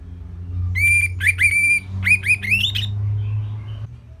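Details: Orange-headed thrush as a training recording for songbirds: a steady drawn-out whistle followed by a quick cluster of rising, slurred notes, clear and loud over a soft low background hum.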